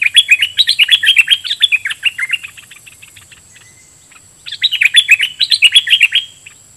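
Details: Caged decoy red-whiskered bulbul singing at wild birds with doubled phrases: a dense, bubbling, chirpy warble lasting over two seconds, a pause, then another rapid warbled run.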